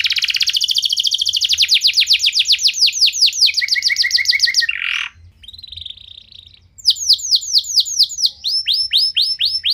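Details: Singing canary used to trigger others to sing: long rapid trill of sweeping notes, a brief harsh downward note and short steady whistles in a quieter gap, then fast repeated sweeping notes resume.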